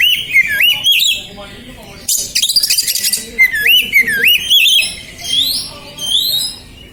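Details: Agitated, stressed oriental magpie-robin singing to provoke other birds: looping, wavering whistles repeat in phrases, broken by a burst of harsh rapid chatter, then high thin notes over steady background hiss.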